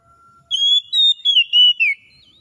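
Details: Oriental magpie-robin giving its wild 'ngalas' song, aimed at reviving a magpie-robin that stopped singing: after a faint low tone, four or five strong whistled notes descend in steps over about a second and a half.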